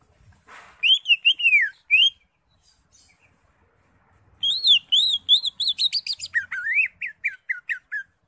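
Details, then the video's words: Greater green leafbird (Chloropsis sonnerati), crest raised and in full song, sings clear, arched whistled slurs, then a rapid run of rising and falling notes ending in quick chirps; nothing else is heard. "CUCAK HIJAU (ijo) NGENTROK JAMBUL GACOR FULL ISIAN"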